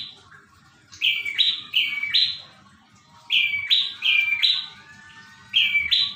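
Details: Prinia singing: high, bright two-note phrases, each stepping sharply upward, repeated in short bursts of three or four with pauses between bursts, over a low steady background hum.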